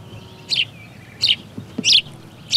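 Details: A male house sparrow calls from his roof beside his newly built nest under the tiles, advertising for a female and claiming territory from neighbouring males: four short, bright, high chirps, one about every two-thirds of a second, over a faint low rumble.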